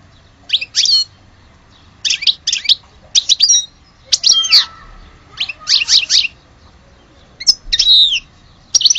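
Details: A goldfinch named as the real one of Alge utters brief clusters of sharp high chips and quick twitters, spaced about a second or two apart, with a faint lower tone in one phrase.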